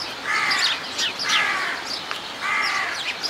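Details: Himalayan monal at Zoo Leipzig giving three harsh, nasal, drawn-out cries about a second apart, with faint high chirps from small birds behind.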